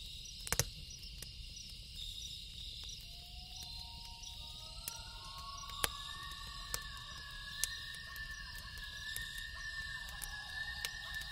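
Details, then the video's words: Night-time loon wail: long, drawn-out tones that step upward in pitch one after another and hold steady. Crackling campfire pops and a dense, steady insect hum fill the background. "Campfire Sound & Loon Call"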